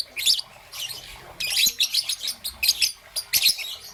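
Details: Young peach-faced lovebird, green and yellow, chirping in the morning: shrill, buzzy tweets in short bursts, building into a quick pulsing series about four per second.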